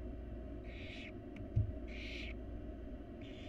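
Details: A feeding visit by a mother barn owl to her wild chicks in a nest box: three soft, hoarse hissing calls, with a thump and click between the first two, over low hum.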